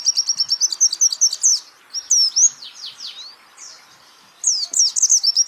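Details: Training recording of a champion white-eye: a burst of fast, shrill chips, then a string of swooping, twisting whistles tailing off, silence, and a renewed rapid chattering trill at the end.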